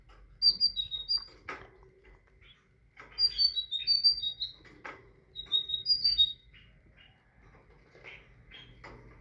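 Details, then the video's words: Tit song in three bursts of sharp, high whistled note pairs, each burst a fast string of short, slightly descending whistles, separated by brief pauses with faint clicks. "تغريد طائر الحداد(القرقف)"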